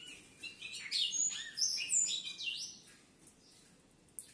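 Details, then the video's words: Harlequin-mutation Ultramarine grosbeak pair, bred in captivity, giving standard-pattern 'sintonia padrão' song: a rapid run of sweet whistled notes with sliding rises and falls, fading into quiet, then a single sharp click. "Casal Azulão mutação Alerquim. Sintonia padrão."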